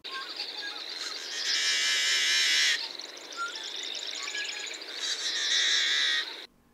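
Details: Yellow-headed Blackbird, a marsh bird, giving two harsh, buzzy, screechy gagging calls like a rusty hinge, about three seconds apart, with scratchy clicking notes between them.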